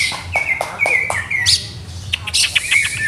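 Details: Greater green leafbird kept in a cage during setup trials, giving bright slurred whistles broken by quick, clicking chirps and short high bursts, phrases changing every half second.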